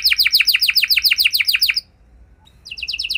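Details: Gacor canary song meant to provoke any canary into singing back: a fast run of falling chirps, a short pause, then a higher, tighter trill resuming.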